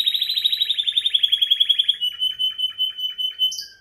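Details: Timbrado canary delivering a fast pulsing trill that slowly falls in pitch, then slower separate lower notes and a short high note to finish.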